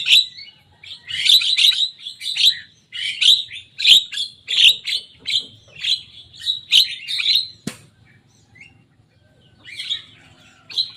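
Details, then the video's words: Young Javan myna singing and reproducing rivals' songs with a steady series of harsh, buzzy chattering bursts roughly every half second, fading into a few quieter notes at the end. "Jalak kebo muda gacor bongkar suara lawan."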